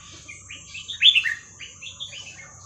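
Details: Red-whiskered bulbul in หัวครกเขย่าขวด song style for teaching chicks: soft chirps leading into a loud, fluty, tumbling phrase, then a run of gentler rising and falling notes, with a low hum and steady high tone behind.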